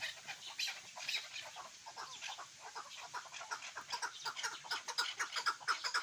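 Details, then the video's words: Hunting chukar partridge calling: dense run of short, harsh chucking notes repeated about twice per second, overlapping and building in loudness, with a faint hiss throughout. "Кабки шикори"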